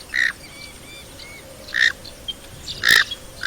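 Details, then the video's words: Three short, rasping nasal calls from a knob-billed duck, the last the loudest, separated by quiet stretches holding faint thin whistles. "Knob Billed Duck Call"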